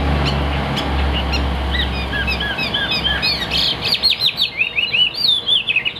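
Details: Big-bodied caged Chinese hwamei with a fig-leaf tail: soft scattered whistles at first, then louder rapid warbled phrases in the second half, over a strong low hum.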